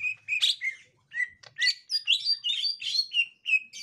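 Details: Green leafbird of the gotri kind greeting a young wild green leafbird: bursts of bright chirps and mimic-like whistles in quick succession, with short gaps between phrases.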